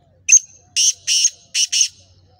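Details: Kala Teetar, the black francolin, of Gangas Sheedi cross type: a sharp clipped first note followed by two drawn-out buzzy notes and a closing pair of harsh notes, the whole phrase lasting about one and a half seconds.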